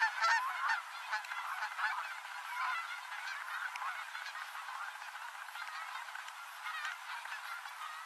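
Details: A flock of Canada geese on Oregon's Rogue River, gathering at dusk after spiralling down from altitude; louder honks open the clip, then a softer continuous babble of many calling birds follows.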